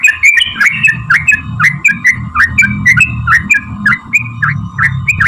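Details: Long rolling sooty-headed bulbul song played to trigger replies from other bulbuls: fast chains of liquid whistled phrases over a continuous hum and low background rumble.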